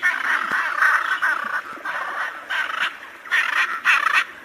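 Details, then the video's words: Hyacinth macaw song: loud, harsh, grating squawks in a quick series of about eight bursts, some run together, with brief pauses between. "Canto del guacamayo jacinto"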